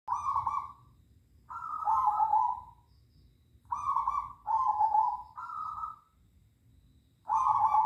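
Zebra doves trade soft, mellow cooing phrases back and forth, each about a second long and slightly falling, in a quiet night setting.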